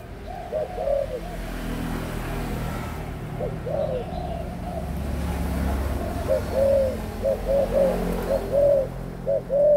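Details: Adult spotted dove cooing amid rumbling low background noise. Low, soft coo notes come in uneven bursts, growing denser and clearer toward the end.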